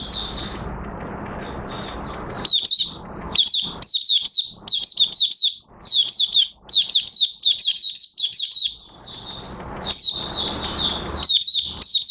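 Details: Oriental white-eye (Mata Puteh Raja) singing on 30 August 2022 with nearly complete new white feathers; after a quiet start, a sustained high twittering of quick slurred notes in bursts, with soft rustling noise between them.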